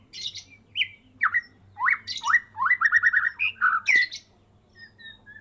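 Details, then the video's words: Caged white-rumped shama of the Medan type, kept since a fledgling, in full-repertoire song after its first moult: harsh chatter, then a rapid series of upswept whistled notes, ending in a sharp squawk and soft high tones. "Murai medan gacoor full isian"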